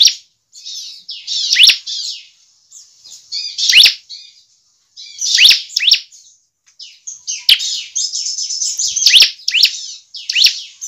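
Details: Energetic bar-winged prinia song serving as a lure for other prinias: high buzzy warbling trills with sharp upward-sweeping notes scattered through, in irregular bursts.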